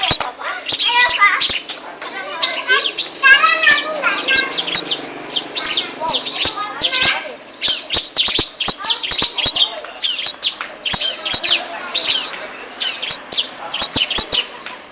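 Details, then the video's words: Bar-winged prinia (ciblek) singing actively: a busy, nonstop stream of high chirps, trills and chattering notes, with faint voices in the background. "Burung Ciblek semi (cisem) gacor"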